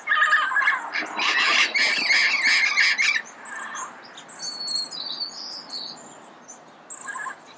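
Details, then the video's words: Red-crowned amazon calling early morning in Pasadena: a dense run of harsh, raspy squawks for about three seconds, then quieter scattered notes, with thin high chirps of other birds in the background. "Red-crowned Amazon Bird Sound, Bird Song, Bird Call"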